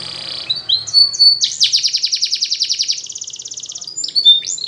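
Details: Canary song used for training: short whistled notes, then a long fast rolling trill of repeated sweeps, shifting into a finer buzzy roll and ending with clear whistles.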